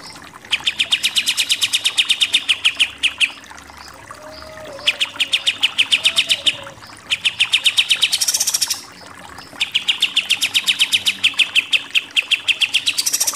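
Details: Pied triller repeatedly firing off long, fast bursts of clipped, uniform notes, the nembak-nembak style, with some bursts ending in a high, dense rattle; about four bursts separated by brief pauses.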